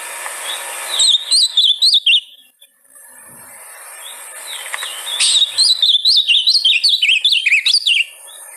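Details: Ultramarine grosbeak singing, a recording meant to set a caged bird singing: a quick warbled phrase of bright whistles, a quiet hissing gap, then a longer rapid series of swooping, chattering whistled notes.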